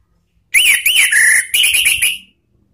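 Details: Anis Merah (Orange-headed thrush) lure song, ngeplong style, for training cage birds: two loud, arched whistles, a flat sustained note, then a higher steady whistled phrase that fades out.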